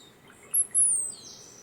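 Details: Hummingbird perched in a tree in the Sierra foothills of California, USA, giving its courtship song: a very high, thin squeak, then a sliding whistle falling in pitch, followed by a softer buzzy trill.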